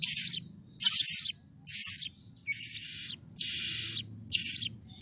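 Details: Blue-crowned hanging parrot calling as a lure to prompt other birds of its kind to sing: harsh, shrill, high-pitched bursts in short rasping blocks, about six bursts separated by brief silences, with a faint low hum beneath.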